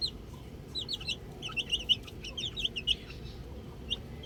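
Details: Chicks at play with a ball chirp in a busy run of sharp, high, slightly downslurred peeps, about one a second overall but bunched in rapid clusters, then thinning out.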